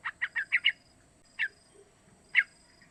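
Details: Young sooty-headed bulbul, three months old, calling as a lure to make other bulbuls sing; a quick run of five bright chirps, then two single chirps spaced about a second apart.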